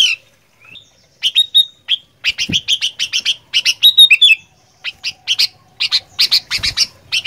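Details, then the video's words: Sooty-headed bulbul singing in fighter style: fast bursts of sharp, high chirps and short whistled notes in clustered phrases, with brief pauses between runs and a quiet background. "Kicauan Kutilang Gacor Fighter"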